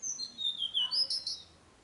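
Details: Tickell's blue flycatcher in song at Nandi Hills, Karnataka, recorded 4 June; a high, clear, tinkling phrase of slurred whistles stepping downward, then a few sharper high notes, in clean quiet surroundings.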